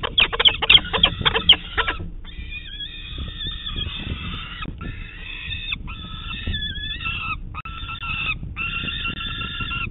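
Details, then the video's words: Peregrine falcon chick on a nest camera in Manchester, New Hampshire, 30 June 2019, begging its parents for breakfast in the morning; rapid scratchy chips at first, then long, drawn-out wailing calls in steady series over background hum. "Peregrine Falcon - Good morning Mom, Dad, it's time to give me breakfast!"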